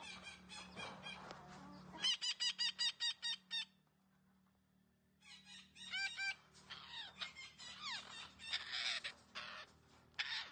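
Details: Green parrot producing a fast series of about seven evenly spaced, ringing harmonic notes. A pause follows, then more note runs and a stretch of harsh, rasping chatter with swooping whistles, over a faint low hum.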